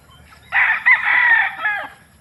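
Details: Rooster crowing: one loud harsh crow of about 1.4 seconds, starting abruptly, held steady with a brief break, and ending in a falling final note.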